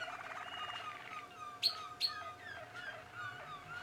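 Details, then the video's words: Young Malinois Waterslager canaries from 2016: low rolling trill fading out, two sharp high chirps, then softer descending liquid notes. "MLADI - 2016 (malinois waterslager)"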